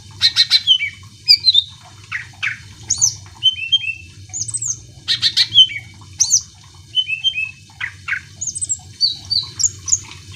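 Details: Greater green leafbird song used to make other birds join in: clusters of harsh rattling notes alternating with clear, high downslurred whistles and chirps in a fast, restless sequence, over a faint low hum.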